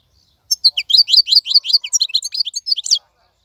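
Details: A wild-caught goldfinch held in a cage sings a single dense two-and-a-half-second phrase of quick, varied, tinkling notes sliding downward, delivered without a break.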